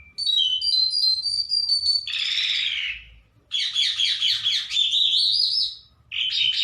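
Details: Trained, hand-tame lark singing in the open: rapid high whistled notes, then a harsh buzzy phrase, followed by a long stream of quick slurred chirps and a final burst.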